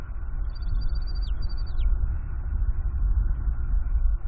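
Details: Bald eagle eaglet at a Northeast Florida nest, chittering at its father after a fish meal on a windy April 2021 day: one brief burst of high, thin piping notes ending in downward slurs, then only blustery wind.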